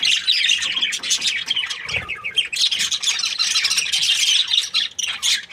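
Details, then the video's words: Breeding pair of budgerigars, described as happy, in continuous lively warbling chatter of buzzy, scratchy notes with squeaky accents. "Happy budgie chirping sounds"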